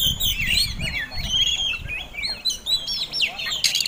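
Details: Caged Oriental magpie-robin giving its fighting song to provoke rival birds: a dense stream of varied high whistles, twisting slurs and sharp chirps, with a low rumbling background throughout.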